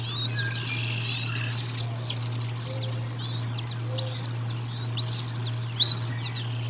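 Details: Bald eagles at the Decorah North nest during a feeding on 1 April 2022, picked up by a live nest camera: a run of high, arched chirps, each rising then falling, given about once a second, with a steady low hum underneath.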